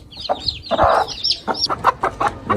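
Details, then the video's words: Newly hatched chickens on a rooftop, described as looking like vultures; a run of short, repeated peeping calls mixed with lower clucking notes at the start, then evenly spaced cheeps toward the end. "মুরগির বাচ্চা ফুটেছে"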